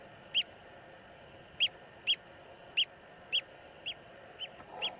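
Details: Iceland recording of a Eurasian oystercatcher calling with eight short, high piping notes at uneven intervals, the later ones growing fainter, over a soft steady background hum.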